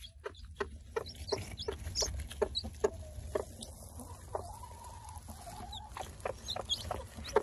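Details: Newly hatched chicks from an Easter Egger hen crossed with a D'uccle rooster give short, high, thin peeps scattered through the recording. Frequent clicks and rustling accompany them, and a steadier lower tone runs through the middle.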